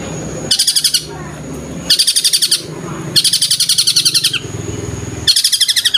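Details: Long-tailed shrike in vigorous song, copying tengkek buto calls. Four bursts of quick, harsh, evenly pulsed notes, each about half a second to a second long, repeat roughly every one and a half seconds with short gaps.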